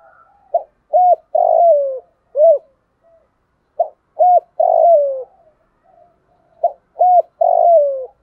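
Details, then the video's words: A spotted dove, a decoy bird, gives a full cooing series in low, hollow phrases of about four notes, the last drawn out and falling, repeated every three seconds or so. No other clear sounds. "chim cu mồi thúc gù đủ bài"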